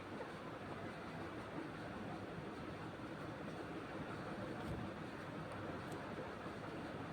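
Continuous dense rumbling noise like a passing train or traffic, with no animal calls.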